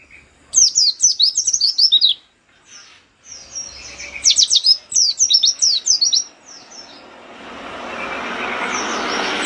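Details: Energetic 'nembak' singing by an Oriental white-eye aimed at rivals: quick high twittering runs of downslurred notes in two phrases, followed by rising background rumble of passing traffic.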